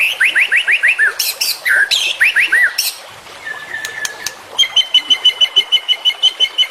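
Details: Murai batu, white-rumped shama, in a full-content training song for caged birds: quick rising slurred whistles, harsh bursts, a long flat whistle, then an even rapid trill of clipped notes.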